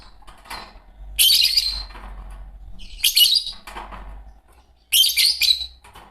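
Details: Pair of green Fischer's lovebirds chirping and singing, giving three loud, harsh, buzzy squeaks spaced roughly two seconds apart, with softer chatter between them.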